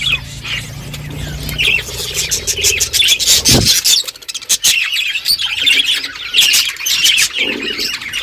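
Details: Budgerigars in a flock on a morning, chattering among themselves: rapid high chirps and scratchy warbles overlap throughout, with one brief louder thump midway.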